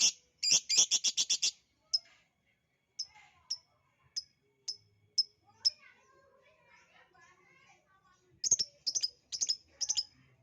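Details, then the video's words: Lovebird lure sound: a rapid burst of about eight shrill chirps, then single high chirps spaced about half a second apart, a quieter murmur in the middle, and a final run of quick piercing chirps. "pancingan ampuh love bird jadi bunyi"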